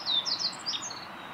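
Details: Male Meadow Bunting in song beside Miyagase Lake, recorded on 6 May 2016 in 4K: one rapid phrase of bright, high, slurred chirps lasting about a second, then quiet hiss.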